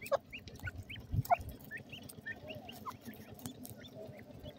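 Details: Grey francolin, with partridge chicks in forest: a series of short, thin, upward-slurred chirps repeated irregularly about once a second, over a low rumbling background with scattered clicks.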